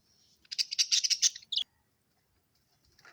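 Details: Australian budgie pet parrot chirping: a fast run of high buzzy rattling notes lasting about a second, followed by a sharp descending squawk, then near silence with a faint chirp at the close.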